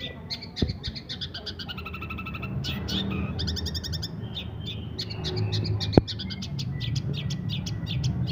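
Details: Long-tailed shrike song in the quick, tight 'nyeklek' style, used as tutor material: bursts of sharp high chips and short trills over a steady low rumble of background noise.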